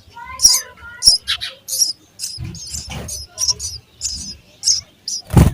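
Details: Sparrow babies in a nest, fed by an adult, give loud, high, rasping chirps in irregular quick bursts, mixed with low thumping and rustling sounds.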